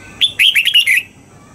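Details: Caged red-whiskered bulbul in morning song training, singing a wild-style double-note song: a single bright phrase of about six quick whistled notes, rising and falling, lasting under a second over a quiet background.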